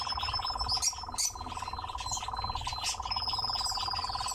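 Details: Nightjar kept in captivity, churring steadily throughout as a dense, purring trill of fast pulses. Scattered high chirps and a thin sustained whistle from other birds sound above it.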